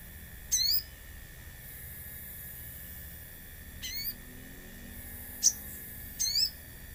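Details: Common iora lure song set among nature sounds: four high, upward-sweeping whistled notes spaced a few seconds apart, one a short sharp chip, over a steady hissing background.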